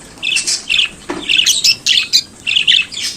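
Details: Chattering budgerigar, native to Australia and kept as a pet, giving short buzzy warbled bursts several times a second with sharp clicks and high squeaks between.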